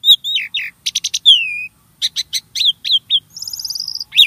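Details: Varied starling song for prompting caged birds to sing: repeated slurred whistles, a trill of clicks, a long descending whistle, then downward chirps and a high rattling phrase.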